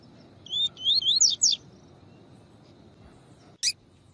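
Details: Double-collared seedeater, the tui tui song style, used for training with a female call to warm up the bird; a short burst of high whistled, rising and falling notes, then a pause and one sharp high note.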